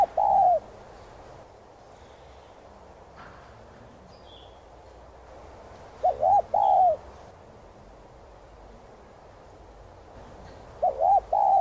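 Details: Spotted dove cooing to stimulate other doves into song: three phrases roughly five seconds apart, each a rapid wavering double note followed by a drawn-out coo, with faint chirps between them.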